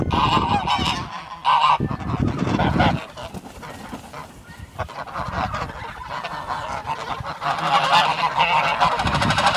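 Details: Geese honk irregularly while chasing a moving car on a property, in a flock of 18 birds. Harsh, overlapping calls come in bursts, louder at the start and end, over constant rumbling background noise.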